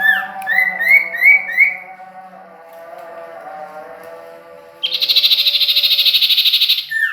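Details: Whistled upslurred notes, repeated about four times, come from a sirtu or common iora (cipoh) at Ajibarang. After a quiet hum-filled stretch, a long, dense, buzzy trill follows.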